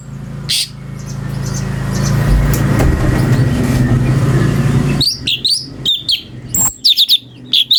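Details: Cucak cungko, a brown-breasted bulbul, singing variations used to tutor magpie-robins: five seconds of loud rumbling noise, like passing traffic, then a quick burst of high, clipped chirps and sharp whistled notes.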